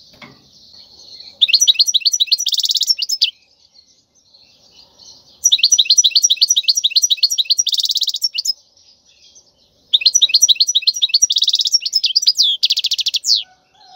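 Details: Wild European goldfinch singing khalwi-style song used to train chicks: three bursts of rapid liquid twitters ending in a dense buzzy trill, each about two seconds long, separated by short pauses.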